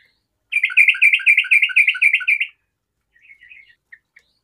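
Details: Lively garuda-type yellow-vented bulbul in song, said to prompt other bulbuls to sing: a two-second run of about twelve quick, bubbling notes, followed by faint twittering and two soft chips.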